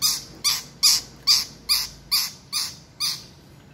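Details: Long-tailed shrike, a kept bird with a repertoire of mimicked sounds such as chicken and gecko, giving harsh rasping notes repeated evenly about three times a second, with low room noise behind.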